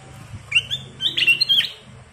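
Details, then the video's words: A chatty black-capped bulbul (kutilang emas) gives a full, varied song: a high clear whistled note, then a rapid run of bright, slightly rising warbled notes over a steady low hum. "Burung kutilang emas Gacor full isian"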